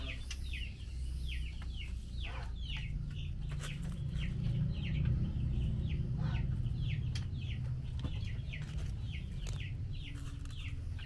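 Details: Female Chinese hwamei calling for the male as mealworms are offered: repeated short, falling chip notes in irregular runs across the whole stretch, with scattered clicks and a loud low rumbling hum.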